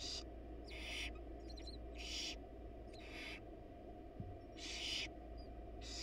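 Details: At a monitored nest box a wild male barn owl leaves a rat for the nestlings while the mother is away. Around six short hissy screeches at irregular intervals, with faint thin squeaks between them and a steady hum behind.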